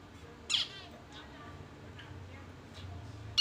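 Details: Zebra finch chick about 20-odd days old, newly out of the nest and still fed by its parents; two loud, harsh, nasal calls about three seconds apart, with faint softer chirps between them over a low hum.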